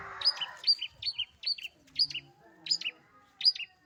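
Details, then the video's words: Pet long-tailed shrike singing in a lively style, giving a run of crisp, high, two-part chirps repeated about every half second, clear and loud, with a brief low murmur at the start. "burung cendet gacor"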